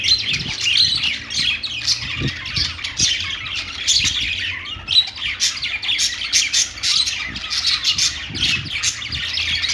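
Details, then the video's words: Pet-store budgerigars keep up a dense high twittering chorus of chirps and squawks, with occasional low knocks and thumps in the background. "budgies calling sounds | parakeet chirping sounds in pet store"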